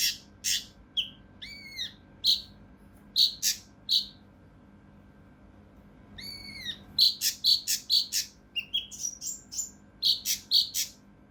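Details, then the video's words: Mountain leaf warbler (cucak rante mas) in the rough, dense 'tembakan kasar rapat' style, kept to train competition birds: high sharp notes, upswept whistles and brief trills, fast and irregular, some phrases repeated in quick runs. "KINOI EMOSI | TEMBAKAN KASAR RAPAT UNIK | SUARA CUCAK RANTE MAS UNTUK MASTERAN BURUNG LOMBA"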